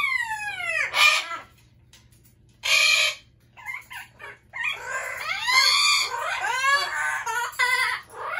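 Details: Screaming Amazon parrots give a long falling squawk, then harsh broadband shrieks and a run of stacked, bowed calls that climb and drop, almost without a break toward the end.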